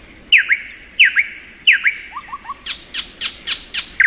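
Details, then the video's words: Spring song of a thrush nightingale: paired sharp down-slurred notes repeated about every 0.7 seconds, a few low chirps, then a fast run of loud clicking strokes. "Nightingale Song.(Luscinia)."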